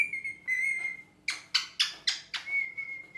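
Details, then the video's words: A pet green rose-ringed (ringneck) parakeet gives four harsh, rasping screeches in quick succession, set between long, steady, high whistled notes. "Parrot Chirping Sounds"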